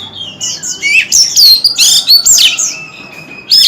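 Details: White-rumped shama in song, tail spread: a string of loud, ringing upslurred and downslurred whistles mixed with harsher rasping notes, ending after a brief pause with a bright phrase.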